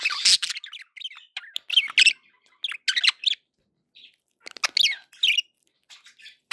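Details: Cheerful pet budgerigar chatter: quick sequences of short chirps, clicks and twisting warbled notes with brief pauses between.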